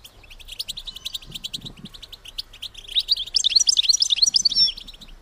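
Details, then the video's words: ['European goldfinch female calling, meant to stimulate males toward mating: soft high chirping builds into a loud, rapid run of bright, tinkling notes in the second half.'] "بتبتة انتى الحسون لتحفيز الدكور على التزاوج"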